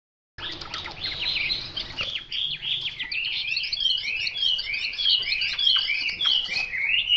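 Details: Chinese hwamei, described locally as 'mộc dở', singing a rapid string of varied whistled notes: falling slurs at first, then a fast run of bright rising-and-falling phrases repeated in quick succession. Faint low background hum.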